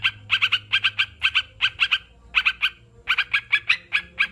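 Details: Sooty-headed bulbul giving quick, sharp notes in tight clusters, a short silence near the middle, then resuming with a rapid series.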